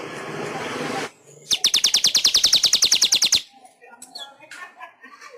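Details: Master song of a weaver, meant for tutoring caged pet weavers: a rough noisy stretch, then a rapid, even, clicking rattle lasting about two seconds, with a few faint chirps afterward.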